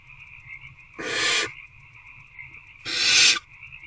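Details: Hungry owlets in a nest box, recorded 26 February 2024 at 8:13 pm while trying to eat a rodent, give two harsh, breathy hisses of about half a second each, with a steady high background hum throughout.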